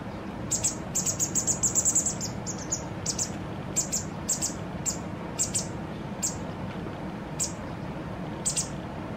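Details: Fledgling white wagtail begging while a parent feeds it to fullness two days before it fledges off alone: a dense burst of sharp, high-pitched chips, then single chips spaced roughly half a second to a second apart, with low background rumble.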